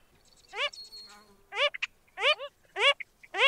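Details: Wilson's phalarope, a rare winter visitor in Hawaii, giving short, nasal, honking calls, each a rich buzzy note, about every second with a few soft clicks between.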